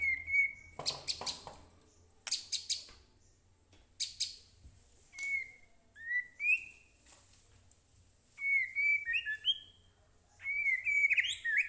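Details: Murai batu (white-rumped shama) lure song: scattered short whistled phrases and harsh, crackling bursts over a low background hum, with a livelier whistled flourish near the end.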